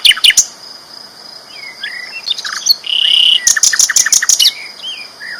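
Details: Sikatan londo flycatcher, a champion singer: quick high chirps, a short buzzy note, then a fast rattling burst of repeated notes with soft whistles between.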